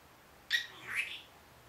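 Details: Pet Senegal parrot, one year old, uttering a short mimicked word pair indoors: a sharp harsh note, then a smoother rising and falling syllable.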